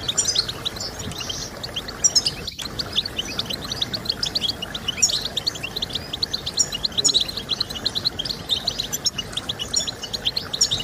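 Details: Twittering European goldfinch song for encouraging singing: rapid high chirps and tinkling phrases, a short gap early on, then dense overlapping trills continuing to the end with steady background noise.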